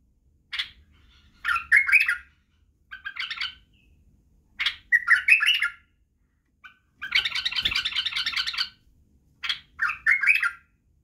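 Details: Badrawi white-eared bulbul singing to teach chicks the song and barwaz: repeated short warbled phrases with sharp lead-in notes, plus one long, steady, buzzy chatter lasting nearly two seconds in the middle.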